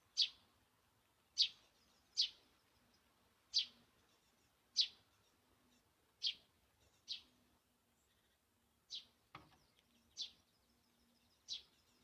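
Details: Great spotted woodpecker at a garden feeding spot, repeating about ten abrupt, sharp high notes at uneven gaps of one to two seconds, with a faint steady low hum behind.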